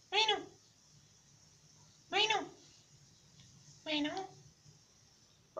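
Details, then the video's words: Mynah bird talking: three separate speech-like harmonic utterances about two seconds apart, each with a bending tone, plus a brief fourth onset at the end over a low steady hum. "Talking Mynah bird"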